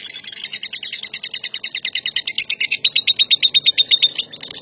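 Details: National first-place champion lovebird in ngekek style, a long-duration chattering trill: rapid buzzy pulses, about three per second, climbing into a sustained high ringing trill that holds steadily for over a second before ending, in quiet surroundings.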